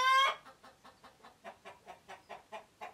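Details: Scared hen giving an alarm call, warning others of an intruder or bird of prey: one loud, harsh, harmonic squawk, then a steady run of about a dozen clipped clucks, roughly five per second.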